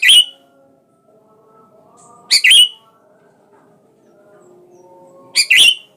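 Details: Sooty-headed bulbul calling a rival to provoke its song: three loud, bright paired chirps spaced about two and a half to three seconds apart over faint low background tones.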